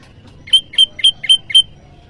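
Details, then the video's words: Bar-winged prinia calling against a rival, used as training audio for cage birds: five clear, sharp, high chip notes spaced about a quarter second apart over a quiet background. "Masteran burung PRENJAK LUMUT || Prenjak jawa Suaranya memanggil lawan"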